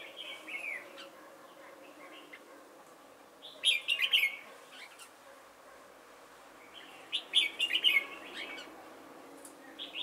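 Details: Decoy red-whiskered bulbul singing at Chùa Hương, Vietnam, during trapping on 28 November 2017; two bright bursts of rapid whistled notes about four seconds apart over a quiet murmur of softer calls.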